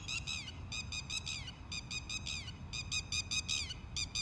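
Red-wattled Lapwing giving shrill, sharp notes in quick bursts of four or five, repeated about once a second, over a low background rumble.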